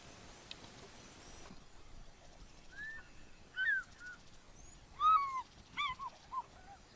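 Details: A pair of African fish eagles call in the distance near the main dam in Manyeleti Game Reserve, Greater Kruger, South Africa, around midday. Ringing, yelping notes rise then fall in short bursts over about four seconds, over a soft outdoor hiss.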